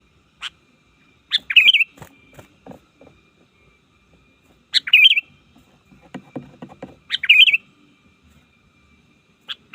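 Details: Trained sooty-headed bulbul singing to call rivals in the wild: short bubbly, warbling phrases preceded by sharp clicks, about three phrases in ten seconds, with scattered soft knocks and ticks between them.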